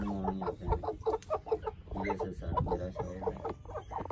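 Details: Brooding white Aseel Heera hens in a wheat nest hatching golden buff eggs; dense, throaty clucking in quick clusters, mixed with low thumping noise.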